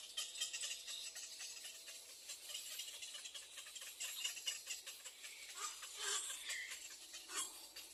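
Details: Begging little egret young in the nest, asking their mother for food; dry, rattling, hissy chatter runs steadily throughout, with a few sharper squeaky notes near the end.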